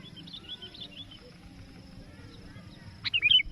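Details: Sooty-headed bulbul, an active caller answering a rival, sound used in trapping; faint chattering whistles early, then a buzzy note and a quick trio of bright whistled notes near the end.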